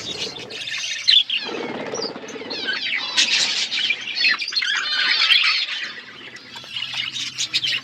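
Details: Several budgies chatter as they eat, a continuous stream of high, rapid warbled chirps and squeaky notes, with a softer lower burst near the start and slight fluttering.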